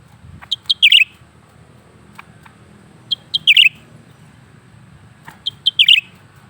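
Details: Captive lesser green leafbird (cucak ranting) in continuous song, giving three quick high phrases of clipped notes climbing into a shrill twittering flourish, with faint ticking sounds and a low hum between phrases.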